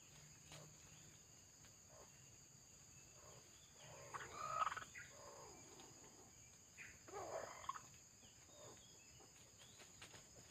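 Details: Wild male red junglefowl being lured with a decoy for trapping. Two harmonic, crowing bursts arrive about three seconds apart, heard over a steady high buzz of crickets and insects.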